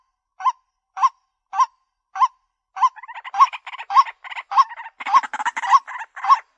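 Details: White-breasted waterhen calls used as a bird lure: spaced, clipped, nasal 'kwak' notes about every half second, building into a dense, fast, rasping chatter of overlapping croaks in the final seconds.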